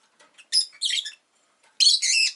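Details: Pet rosy-faced lovebird giving harsh, high, buzzy chirps in three quick bursts with brief pauses, with town noise around.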